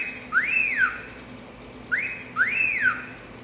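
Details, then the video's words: Cockatiel giving the fiu-fiu wolf whistle in a small room, three clean whistled phrases: a short rising flick, then a longer arched note that climbs and falls, repeated twice with a pause between. "ASSOBIO DE CALOPSITA - Hino nacional/ fiu-fiu/ star wars"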